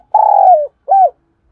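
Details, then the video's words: Captive decoy spotted dove calling to draw wild rivals into a fight: a long, full coo sagging in pitch at its end, then a short arched coo after a brief pause. "Tiếng chim cu gáy thúc đấu vấy bổi - Chim Cu Mồi Gáy Gọi Giọng Hay bổi"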